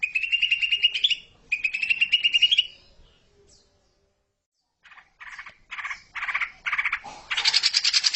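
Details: Greater green leafbird song as a training master for young songbirds: two quick runs of rising whistled trills, a short silence, then harsh buzzy chattering bursts ending in a dense scratchy rattle.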